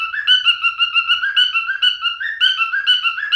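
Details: Male cockatiel singing a bright, wavering whistle of linked notes that rise and dip in quick succession, with no other sounds.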